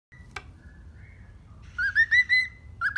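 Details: Happy pet cockatiel in the morning: after a quiet opening with one sharp click, a burst of bright, rising whistled notes in quick succession closes the recording, with a faint low room hum throughout.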